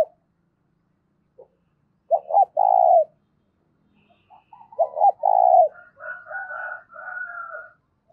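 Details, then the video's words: Spotted dove with a loud, clear voice, cooing to stir up decoy doves. Two low phrases of paired short notes and a long coo, followed by higher, drawn-out whistled notes from another bird. "tiếng cu gáy kích bổi mỗi ngày giọng to rõ ít tạp âm"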